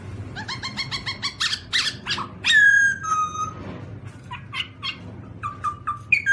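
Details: Black-throated laughingthrush, Garrulax chinensis, shown in funny sounds and dances: rapid series of harmonic chattering notes, then loud clear whistles gliding downward and short repeated whistled phrases, with a low background hum.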